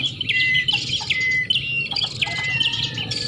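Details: Prinia calls played as a lure to attract prinias: dense, high buzzy chips and short whistled notes in rapid, overlapping bursts, with several birds apparently calling at once over low background rumble.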